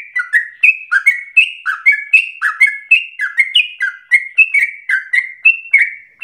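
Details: Lure song of a yellow-vented bulbul for prompting other bulbuls into long continuous singing: quick, liquid, bubbling notes stepping between higher and lower pitches in an unbroken run.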